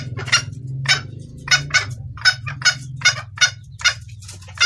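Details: Female red junglefowl calling the male in a clear voice suited to luring males: short rasping clucks, often paired, at an uneven pace of roughly one or two a second, with a low hum.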